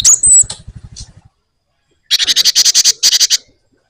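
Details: Java sparrow singing vigorously: a high whistled note over softer low pulses, then after a pause a fast series of harsh, high rattling chips.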